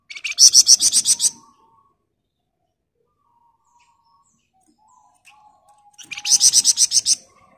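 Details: Flamboyan bird sings loud, dense ngebren bursts for training other birds: two phrases of about nine rapid, harsh, buzzy pulses each, some five seconds apart, with near silence in between.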